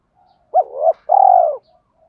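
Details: Spotted dove voice meant to excite birds in training. A single clear phrase: an abrupt rising note bending into a wavering tone, a brief pause, then a long steady coo dropping at its end, with faint hums around it.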